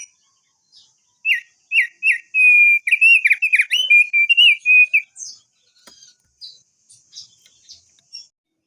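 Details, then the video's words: Crested darkeye lure song for a long roll: three separate chirps, then an unbroken warbling whistled roll lasting about three seconds, followed by soft, very high twitters. "Pancingan Opior Jambul agar Cepat Bunyi Ngerol Panjang"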